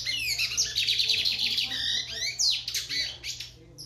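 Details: Loud, continuous song from a lined seedeater: rapid high twitters and buzzy trills packed tightly together, with a sweeping downslurred note midway, all against a quiet low hum.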